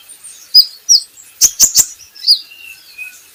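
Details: Javan hanging parrot singing, used as a training recording to get other birds singing: thin, very high chirps and short swept whistles, with a quick burst of three sharp clicks near the middle.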